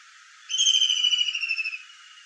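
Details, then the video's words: A kingfisher gives one thin, shrill whistle that is drawn out for over a second and falls slightly in pitch, over a steady background hiss. "KINGFISHER VOICE"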